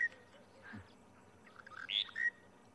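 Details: Monotonous Lark at Djuma game reserve, South Africa, 23 January 2020, calling almost nonstop and quiet only in flight: a short burst of bright, chirping notes rising toward the end, over a low steady background hum.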